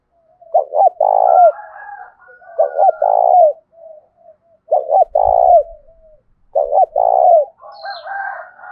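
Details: Provoking, fight-urging coos of a spotted dove, 'thổ' voice style, aimed at wild doves and decoy birds. Four loud phrases about every two seconds, each with two short notes and a longer descending coo, separated by soft murmuring.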